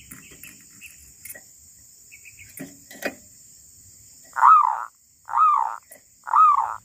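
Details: Wild female zebra dove giving three loud, arched, hooting coos about one second apart in the last few seconds, after scattered faint clicks and rustles, with a steady high hiss throughout.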